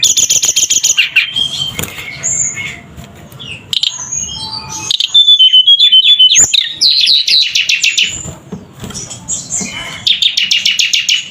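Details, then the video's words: Javan sunbird singing energetically: rapid buzzy chirp trills high in pitch, repeated in fast bursts, broken by clear thin whistles and sharp twittering notes, with a low background hum. "Suara Burung Tledekan Gacor"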